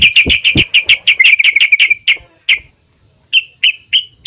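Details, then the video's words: Female yellow-vented bulbul calling the male, used as a lure to make the birds sing: a fast chattering run of bright, ringing notes for two seconds, a short pause, then four separate clipped notes. "PANCINGAN TRUCUKAN BETINA MEMANGGIL TRUCUKAN JANTAN||UNTUK SEMUA BURUNG TRUCUKAN AGAR RAJIN BUNYI"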